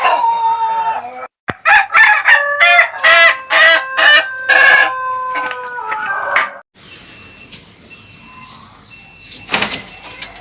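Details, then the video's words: Ayam Ketawa rooster giving its laughing crow: a brief opening note, then about eight strong, evenly spaced harmonic pulses rolling into a sustained tail, followed by quieter background and one sharp noise near the end. "Sound of a Rooster Laughing Compilation (Suara Ayam Ketawa)"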